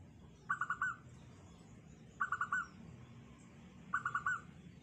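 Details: Zebra dove (local perkutut) song in a small, tight, unique style: three cooing phrases, each a quick run of four to five mellow, bubbling notes, repeated roughly every one and a half seconds over a low background hum.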